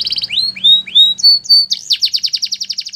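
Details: Canary song with three smooth rising-then-level whistles, a brief high note, then a loud rapid rattling trill.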